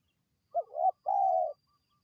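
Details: Spotted dove calling to attract wild birds: one short sliding coo rising into a longer held note, then a second long, level coo, loud and clear against a silent background.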